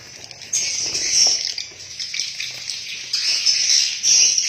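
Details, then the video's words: Swiftlets calling inside a swiftlet house: a dense, continuous wash of high, buzzy twittering from many birds, swelling louder in several surges. "SUARA ASLI BURUNG WALET DALAM RBW"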